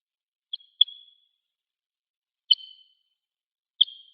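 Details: Crossbill in a pine grove behind a primary school on Hegura Island, Japan, coming to drink: sharp, high chip notes, a quick pair then two single calls spaced over a second apart, each with a short trailing tail; otherwise silent.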